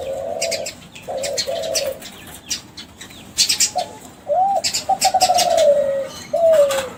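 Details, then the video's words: Young captive-bred Kelantan spotted dove from a champion contest line, cooing as a lure to make other doves answer: low hoarse coo phrases, some rolling, between bursts of sharp high chirps from small birds. "SUARA DERKUKU KELANTAN TRAH JUARA PANCINGAN"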